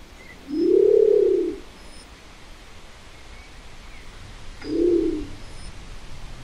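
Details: Low, gruff coos from a Nicobar pigeon: one drawn-out arched note near the start and a shorter, softer one about four seconds later, with quiet hissing background between.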